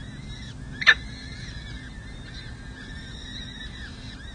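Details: Four 6- and 7-day-old peregrine falcon chicks at a San Jose City Hall nest during a feeding, May 2024: thin, arched, squealing calls repeat in steady bursts, with one louder harsh note and a low city rumble beneath.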